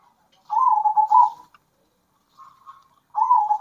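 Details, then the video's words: Zebra dove, local birds singing to stir other doves: a long soft purring coo, then a quiet short trill and another purring phrase starting at the end. "Kombinasi Suara Perkutut Lokal Gacor Bikin Perkutut Emosi"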